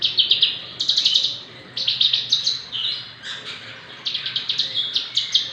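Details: Lively song of a six-month-old Javan bush lark fit to serve as a tutor or song prompt: dense bursts of rapid, buzzy high chips broken by brief pauses, some notes dipping lower, very little background sound.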